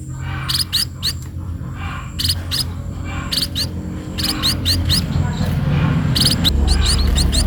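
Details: Sparrow calling while being fed: clusters of thin, upward-swept chirps in brief runs, set against steady low rumbling and a hum that grows louder toward the end.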